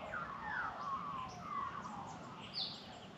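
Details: Australian magpie carolling in the Australian bush on a sunny morning, welcoming the day; a short run of fluty, gliding notes slips downward, ending with a brighter high note, with light background hiss.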